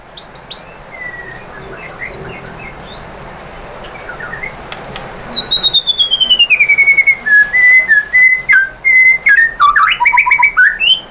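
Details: White-rumped shama singing, meant to provoke other shamas into song: faint distant whistles, then a long clear descending whistle followed by loud choppy whistled phrases and sharp clicks, with steady background hiss.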